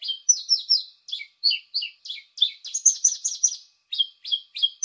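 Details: Paddyfield pipit call used as a lure: bright, high chirps in short bursts of two to four notes, some slurring downward, with brief gaps and a few faster, buzzier runs.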